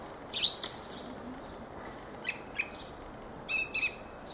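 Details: Fieldfare song: a few short, squeaky chattering bursts high in pitch, then a pause broken by faint clicks and a pair of thin, scratchy notes, over a steady low background hiss.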